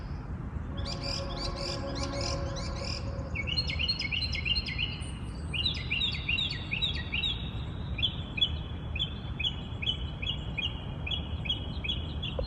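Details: Several birds sing together at dawn: an opening stretch of fast jumbled twitters gives way to a steady series of short, sweet repeated phrases, each about half a second long, above soft background rumble.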